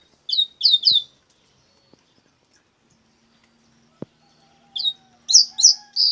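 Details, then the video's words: Double-collared seedeater singing coleiro bruto: a trio of rapid, high, downslurred chirps, a long silence broken by a single knock, then another fast, louder series of sharp slurred notes. "coleiro bruto"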